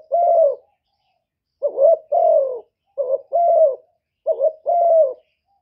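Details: Decoy spotted dove cooing steadily: low two-part phrases, a short broken note then a drawn-out falling coo, repeated four times with gaps of roughly a second, in a quiet setting.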